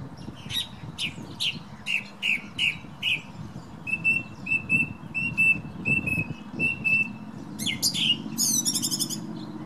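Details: Morning song of a thrush by a bedroom window on a windy day. Short bursts of notes, then a phrase of clear, even whistles repeated about eight times, ending in a ringing trill. Wind rumbles low throughout.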